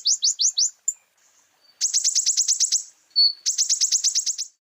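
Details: Common iora singing, a cage-bird training recording: a few slurred whistled notes, then rapid, dense trills of sharp high notes with a brief pure whistle between them.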